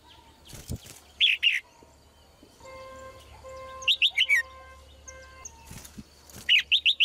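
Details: Short sweet phrases of three to five descending notes from a female red-whiskered bulbul, repeated several times over steady tonal music-like tones and brief rustles.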